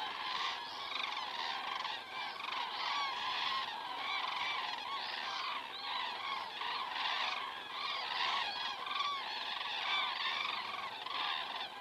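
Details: Common cranes flying over in Estonia on 19 September 2017 at 19:10 in the evening, filmed by a crane camera: a dense chorus of many overlapping trumpeting, rolling calls, repeated continuously with steady loudness.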